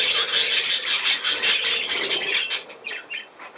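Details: Budgerigar chatter, rapid harsh pulses at close range that fade after two and a half seconds into a few quieter whistled chirps.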